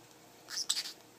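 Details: A pet parrotlet talking, mimicking words such as "pretty bird" and "kitty", gives a quick, thin, raspy two-part phrase like a squeaky mimicked word, over in under half a second, in a quiet room.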